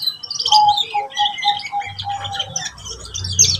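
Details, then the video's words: Song of a canary for training young birds: a series of short low whistled notes repeated about three times a second beneath busy high twittering, with a faint low rumble near the end. "TERAPI SUARA KENARI PAUD WIKSAR BELAJAR NATA LAGU | CANARY SINGING"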